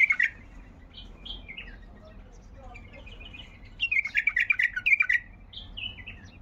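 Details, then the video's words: Baghdadi bulbul singing 'tayyarat' phrases: a loud chirp, short whistled slurs, then a quick bright run of bubbling notes followed by falling whistled notes, with quiet pauses between. "طيارات بلبل بغدادي محمل طوال"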